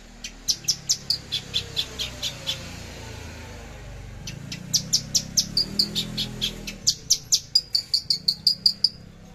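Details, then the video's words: Javan bush lark, branjangan javanica, in trotol and tembakan style on 13 December 2022: bursts of quick, high, staccato notes, a pause with soft low background hum, then a rapid second series ending in short whistled notes. "Branjangan javanica lepas trotol tembakan sadis"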